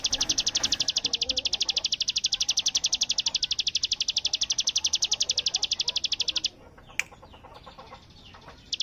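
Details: Bar-winged prinia singing in the ngebren style, likened to machine-gun fire: a very fast, even run of high dry notes lasting about six and a half seconds, then stopping abruptly, leaving faint background noise and a single click.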